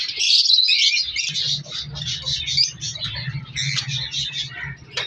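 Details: Captive color lovebirds in an African lovebird breeding colony chirp in quick bursts, about three per second, loud sharp squeaks over constant chatter and a steady low hum.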